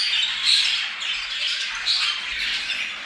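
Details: Budgerigar mating chatter used to stimulate breeding in kept birds: harsh overlapping squawks and short whistled chirps in a steady busy stream.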